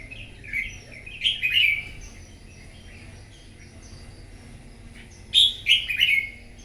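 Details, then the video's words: A wild-caught red-whiskered bulbul sings competitively in the morning, giving a rippling run of sweet, slurred whistles, a pause of several seconds, then a louder repeat of the same bubbly phrase. "Kích chào mào bổi hót đấu " luyện giọng chào mào hót buổi sáng kích chim hót đấu căng lửa"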